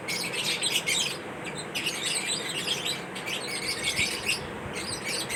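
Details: Shrill, scratchy chirps and short squawks from pet lovebirds eating corn, coming in uneven bursts with brief lulls between clusters of calls.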